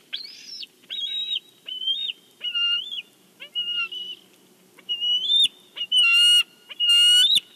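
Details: Nest-cam recording of a bald eagle at Big Bear as a fish is brought: varied soft whistled notes build into loud, harsh, high piping calls toward the end.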